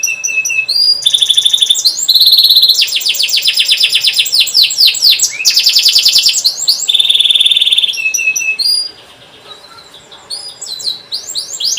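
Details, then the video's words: Long canary song used to coax young or silent canaries into singing: varied trills, long steady buzzy rolls and whistled sweeps, dropping to near silence near the end with a few soft notes. "Kenari gacor panjang cuit cuit,pancingan kenari paud AGAR Bunyi,terapi ampuh kenari macet"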